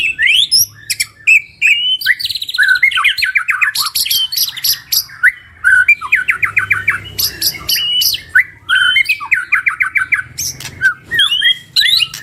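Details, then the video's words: A duo of white-rumped shamas singing their full repertoire as a practice lure. Long, energetic medley of sharp chirps, rattling trills and sweeping notes in dense bursts, separated by brief gaps. "Duo GACOR !! Burung MURAI BATU Full isian MASTERAN PANCINGAN"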